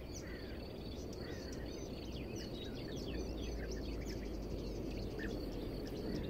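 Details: European bee-eaters, medium-sized birds that hunt insects from perches, recorded 25 May 2018 at Savica Ornithological Reserve, Zagreb, Croatia; faint, short rolling chirps from several birds overlap above a steady low rumble of background noise.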